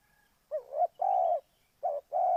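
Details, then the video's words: Spotted dove, a lure bird for trapping from Ninh Thuận, gives two paired coo phrases, each a brief wavering note leading into a longer steady hollow coo, with no other sounds around. "Cu gáy Ninh Thuận"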